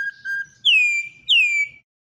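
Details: Brazilian Campo troupial in classic song style. A few short flat whistles lead into two strong, sweeping whistles that fall from high to a steady pitch.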